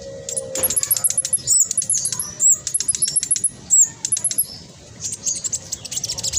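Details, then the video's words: Spotted black sunbird in strong singing form, used by keepers as a lure to get silent or lazy caged birds singing; rapid, tightly packed, very high twittering and sharp chattering notes in fast bursts with brief pauses, over a faint low hum. "Blacksunbird trotol gacor prospex cocok buat pancingan burung macet malas bunyi"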